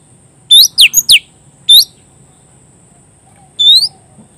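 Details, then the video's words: Oriental magpie-robin singing vigorously in the loud, open ngeplong style, calling a rival: a quick run of four sharp sweeping whistles, a lone whistle after a pause, then a final upward-slurred note, over a steady high whine. "suara burung kacer gacor ngeplong memanggil lawan"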